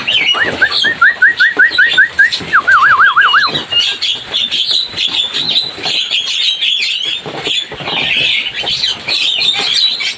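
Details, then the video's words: Javan myna song, lively and noisy: rapid repeated looping whistles and a wavering warbled trill in the first seconds, then long harsh, scratchy chatter with squeaks. "Suara burung jalak kebo cuitannya bikin rame."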